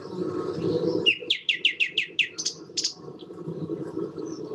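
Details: Song thrush in a garden giving a proclaiming song, often heard at dawn and dusk: a phrase of about six rapid, identical bright whistled notes, then a few varied sharper notes, over a steady low rushing background.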